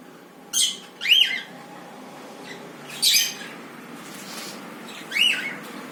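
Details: White-yellow cockatiels giving harsh, rasping squawks and a rising-falling chirp, scattered a second or two apart, against steady background noise.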